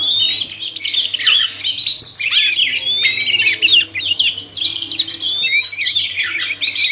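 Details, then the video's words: Oriental magpie-robin male and female chorus for encouraging caged birds to sing: lively bursts of whistled, warbling phrases in quick succession, separated by very short breaks. "suara kacer/sekoci jantan dan betina merangsang bunyi"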